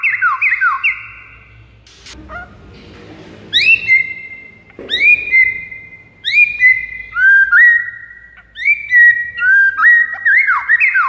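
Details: White-rumped shama song used to attract rival shamas: a quick burst of repeated down-slurred notes, a brief rustle, then a string of clear, rising whistles about every second.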